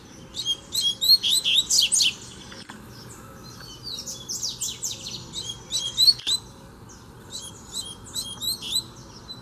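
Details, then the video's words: Double-collared seedeater at liberty challenging a caged bird in fibre training: dense runs of rapid high chirps and buzzy notes, pausing and restarting, loudest in the first two seconds and again near the sixth. "BADERNA O COLEIRO VEM NA MÃO PRA PEGAR O DA GAIOLA!!! TREINO DE FIBRA NO COLEIRO SOLTO!!!"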